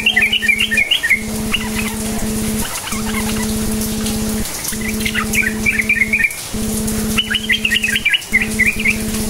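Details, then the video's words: Lure song of a sooty-headed bulbul, cukcuk nguplik style, to prompt other bulbuls to sing: several separate bursts of quick chattering, up-and-down notes, some fainter, above a continuous low hum with short breaks. "Trucukan gacor cukcuk nguplik sangat AMPUH memancing trucuk DIAM jadikan burung NYAUT GACOR"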